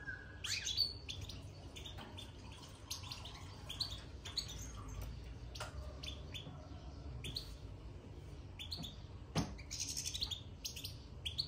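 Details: European goldfinch in a cage, just put inside, giving rapid, high, scratchy twitters in short bursts with brief pauses. One sharp click stands out against a constant low background rumble.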